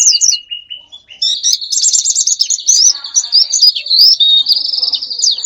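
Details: A bird sound for luring wild birds: a few falling notes, a thin level whistle, then a long, fast, buzzy twittering warble held at a high pitch.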